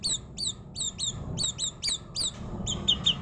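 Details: Murai bird singing in the style called kuntilanak: sharp, high down-slurred whistled notes, often doubled, repeated about three times a second, over a low steady rumble of background noise.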